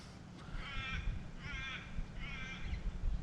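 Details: Crows carrying on and flying overhead near a reedy creek line at Worlds End Gorge give three drawn-out, harsh, nasal caws, each about half a second long and spaced roughly a second apart, over a steady low wind rumble.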